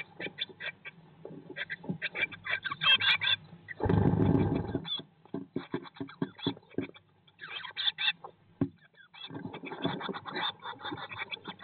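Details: Blue tit chicks in their nest box, day 19 after hatching in May 2022, streamed live. Clusters of high chirps, then a loud heavy thump near four seconds, then the chirping resumes in dense runs.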